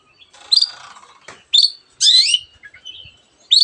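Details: Long-tailed shrike singing in a mimicking style that includes canary phrases and many other birds' calls; loud separate bursts of high, sharp whistled notes and harsh rasping sounds with short pauses between them.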